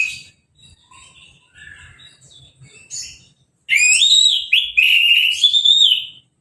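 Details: Caged orange-headed thrush, just through its moult and bathed with a hose, singing without a cover. Soft scattered notes, then a loud, rich, wavering whistled phrase held for about two seconds.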